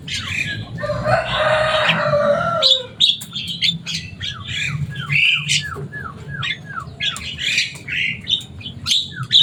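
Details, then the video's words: Kept Javan myna, a bird with a loud, noisy voice, gives a long harsh rasping squawk, then a quick run of short downslurred whistles mixed with sharp chacks and squeaks. A low hum runs underneath. "Burung jalak kebo selain suaranya yang rame"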